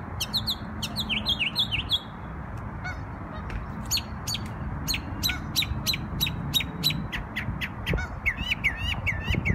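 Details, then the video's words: Bird singing in New York on Memorial Day: varied high phrases, with rapid downslurred notes, stacked clicks and buzzy elements, then a run of short repeated chirps and looping upturned notes, over steady low rumble. "NY Bird Sings Beautiful Songs on Memorial Day"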